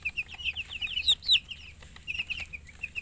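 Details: Baby chickens (chicks) chirping: rapid, continuous high-pitched peeps, many short notes overlapping, some sliding downward, with a few louder cheeps in the middle and no other clear sounds.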